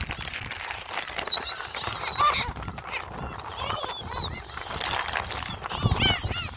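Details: Gulls at Jebudo, gathered to be fed shrimp crackers, give scattered high, arching cries over a rough background of wind, people talking and a low rumble.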